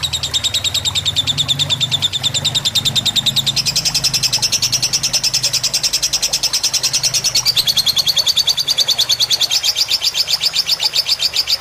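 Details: Fighter-style lovebird tutor song, played with soothing trickling water, meant to help birds copy long songs; an unbroken, very rapid metallic chatter of high pulses throughout, pitch stepping upward midway, with a low rumbling murmur underneath.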